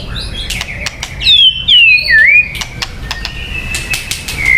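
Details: Song of a white-rumped shama for luring birds: a few loud, clear whistles gliding downward then rising, followed by long steady whistled notes and scattered clicks.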